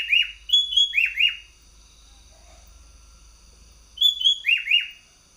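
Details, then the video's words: Champion caged sooty-headed bulbul from Bogor, Indonesia, in lively competition song; the bird sings at any hour and in any cage. Bright whistled phrases, level notes then downward slurs, come twice, roughly four seconds apart, against a quiet background. "Burung kutilang full gacor"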